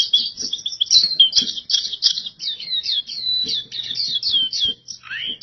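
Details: Oriental white-eye (pleci) singing vigorously, a dense, fast, high twittering of chirps and slurred trills running almost without pause, ending in a lower rising whistle. Faint low clicks and knocks sit underneath.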